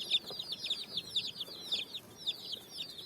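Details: Colour-dyed chicks foraging on sand at evening give clear, high-pitched peeps, each a quick downward slide, repeated nearly twice a second in an uneven run.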